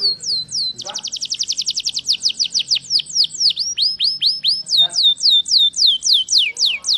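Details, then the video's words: A canary, called a Yorkshire canary and identified as a Belgian canary, sings a fast, high rattling trill, then a run of clear, downward-sliding whistles, about three a second, with a faint low hum behind. "kenari yorkshire gacor"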